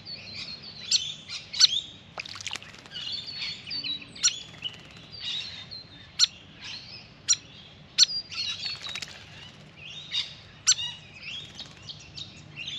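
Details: Grey fantail, hyperactive at a backyard birdbath during a long bath, utters a busy run of thin, high squeaky chips and twittering notes, broken by sharp splash-like clicks every second or two over thirteen seconds.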